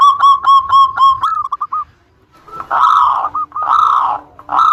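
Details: Lure song of a local zebra dove meant to make rival birds reply: a quick string of soft staccato coos, a pause, then long, burry, rolling coos with a faint low steady hum behind.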